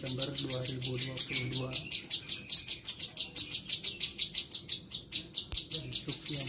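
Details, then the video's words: Sooty-headed bulbul kept as a tutor bird in Bandung, September 2022, relaxed and teaching copied songs of indigobird, grey-headed canary-flycatcher, parakeet and siri-siri. Sharp, high chips repeat steadily, several per second. Faint low voices are heard at the start. "Masteran cucak cungko gacor materi indigo bird"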